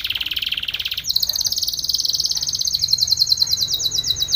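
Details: Spanish Timbrado canary song for training, opening with a lower rapid trill that jumps to a higher fast metallic roll, rhythmic pulses continuing steadily to the end.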